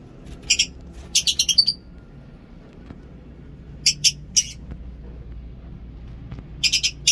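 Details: Colourful caged lovebirds in breeding, disturbed by intense summer heat, give short bursts of sharp, high chirps in tight clusters of three to five, with quiet gaps between and a faint low hum.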